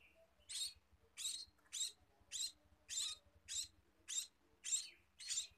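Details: Scaly-breasted munia at feeding time giving short, hissy high chirps at a steady pace, roughly one every 0.6 seconds, nine in a row against a quiet background.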